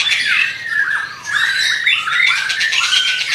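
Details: Vigorous white-rumped shama song: loud, swooping whistled slurs mixed with squawky, buzzy notes, with a brief dip in volume near the middle.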